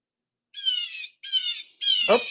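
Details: Blue jay; hawk imitation; said to scare other birds away from feeders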